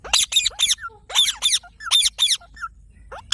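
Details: Parrot letting out a quick series of piercing, harmonic squeaks in pairs and triplets, with a few softer, lower chirps between them and then a short pause.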